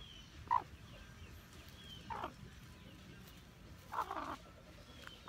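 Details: Hmong black chicken uttering four short, separate clucks spread over about five seconds, each a brief mid-pitched burst, against a quiet hiss of background noise.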